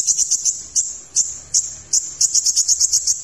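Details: Kolibri ninja, a sunbird, in a tutor recording for other songbirds: rapid bursts of shrill high ticks, a few spaced notes, then a fast chattering series of about ten sharp notes.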